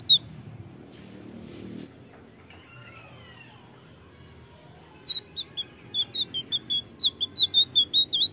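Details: Blue flycatcher song played to make birds answer: after several seconds of quiet background with a faint sliding sound, a series of sharp high whistled notes begins and quickens toward the end.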